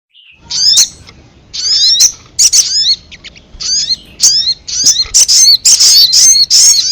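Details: Ruby-cheeked sunbird lure call, used to draw in wild birds quickly: sharp, high chirps and downslurred whistled notes given in short irregular bursts, about two per second, with brief pauses between groups.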